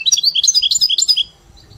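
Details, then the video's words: Short phrase from a caged goldfinch tutored on a hybrid's song in the "Mili" style: quick, liquid chirps that sweep up and down in a jittery chain, ending abruptly after about 1.2 seconds. "مقطع صغير من تغريد طيب لمقنين ملقم على ميلي"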